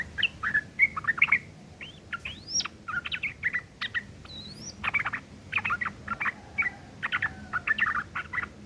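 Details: Yellow-vented bulbul in rough chattering, ngeriwik kasar, used as tutor material for long-tailed shrikes: rapid bursts of harsh chirps and twittering notes with a few sharp upslurred whistles, uneven pauses between phrases.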